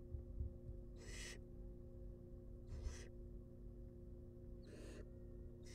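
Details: Barn owl nestlings, wild and filmed in a nest box while being fed, make four irregularly spaced screechy hisses, with soft knocks and a steady background hum.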